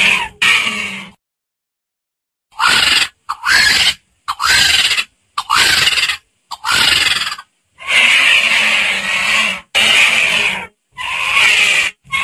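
A vulture gives harsh, raspy hisses and grunting squeals in about nine rough bursts, each up to a second and a half long, separated by abrupt silences.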